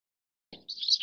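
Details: A leucistic (white-variant) Pacific swallow (Hirundo tahitica) gives a brief, high twittering burst of thin chirps, preceded by a short low thump.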